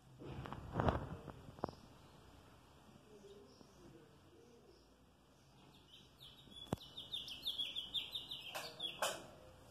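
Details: A House finch (Haemorhous mexicanus), recorded 3 May 2022, sings a quick, jumbled warble of high chirps and slurred notes for about three seconds, after a few dull knocks and faint distant twitters.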